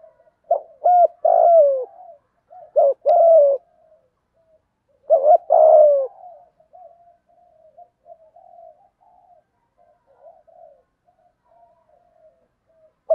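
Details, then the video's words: Spotted dove pair, male and female, cooing as a lure for wild doves; three phrases of short hoots and falling coos early on, followed by quiet soft murmuring notes. "Chim cu gáy thúc gù cực đỉnh dùng để anh em kích bổi mới hiệu quả, bổi gáy theo rất sung"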